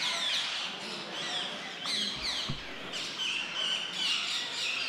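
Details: Young rose-ringed parakeet begging while fed by a male, a continuous harsh rasping chatter with quick repeated pulses, and a couple of low thumps midway.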